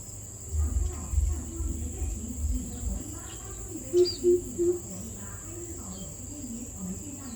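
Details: Greater coucal recorded on 4 August 2022, giving a short series of three deep, hollow hoots about four seconds in, evenly spaced and low-pitched, over a steady low rumble and faint insect hum.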